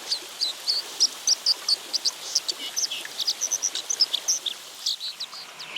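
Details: A male White-throated Dipper in the Mongolian Altai, near the nest on a remote stream in early July after the chicks fledged, sings a quick, high, scratchy warble of short varied notes over rushing water.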